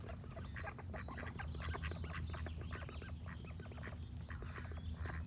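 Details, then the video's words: Ducks quack in a fast, crowded chorus of short, harsh, repeated notes over a steady low rumble, with birds singing faintly in the background. "Cute Duck Quack Sound Effect with Birds Singing"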